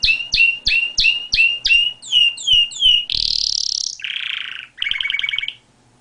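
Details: Canary song with a series of about ten sharp down-slurred whistled notes repeated rapidly, followed by a high buzzy sweep, a lower rolling trill and a quick pulsed phrase.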